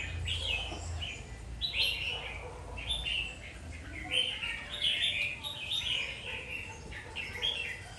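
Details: Red-whiskered bulbul singing short, bright warbled phrases in bursts about every second, each with quick rising and falling notes, over a faint low hum.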